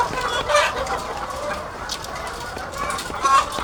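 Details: Laying hens in their thousands on a farm, a soft continuous clucking chorus with two louder short calls near the start and end.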